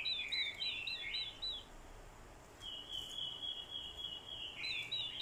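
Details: Decoy orange-headed thrush in fighting song stirred by a female: a bright tumbling warble, a short lull, then a long sustained high whistled phrase leading into fresh fluttering notes.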